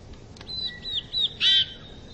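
A Eurasian bullfinch gives four short, high whistled notes, each slightly falling, ending in a louder, richer note over a faint background hiss.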